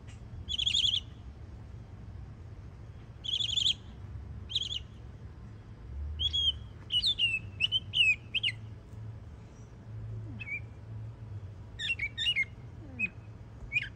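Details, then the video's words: Young Northern mockingbird in Florida singing: varied bursts of repeated phrases, harsh buzzy chunks, then sharp whistled notes and upswept chirps, each phrase type repeated several times with short pauses, over low steady background hum. "Yearling Florida Mockingbird Goes Hard 🎶💯 Beautiful Songs"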